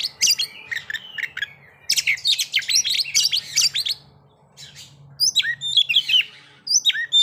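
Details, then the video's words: White-rumped shama song aimed at inducing breeding condition and aggression: bursts of sharp chips and buzzy whistles, a quiet gap, then loud twittering phrases again over a faint low hum. "pancingan agar kacer capat birahi dan emosi terampuh"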